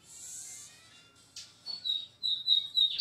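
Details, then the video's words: Lined seedeater in brown plumage, heard more softly, giving a short high hiss followed by a few separated thin whistled notes that build toward a louder chirp at the close. "BIGODINHO PARDO DE JOÃO ESSE TEM CANTO!"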